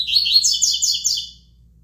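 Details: Coleiro, or double-collared seedeater, delivering tui tui song: a brisk string of sharp, high, sweet chirping syllables lasting just over a second before stopping abruptly, with a soft low hum beneath.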